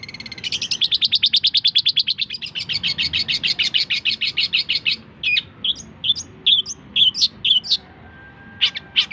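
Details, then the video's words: Long-tailed shrike song for training other songbirds: a long, fast rattling trill of rapid buzzy notes for about four seconds, followed by scattered varied whistled and chattering phrases separated by short pauses. "Cendet masteran full materi voll++"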